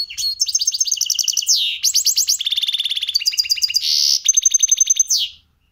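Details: Caged goldfinch × canary hybrid (mixto) pouring out a continuous song learned since it was young: fast rattling trills, clipped repeated notes, a drawn buzzy note and sweeping whistles.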